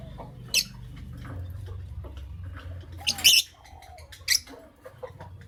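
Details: Two lovebirds, a creamino and a lutino opaline, chirping in the morning: sharp, high chirps in short bursts, one near the start and a louder cluster around the middle, over a low room hum with soft rustling.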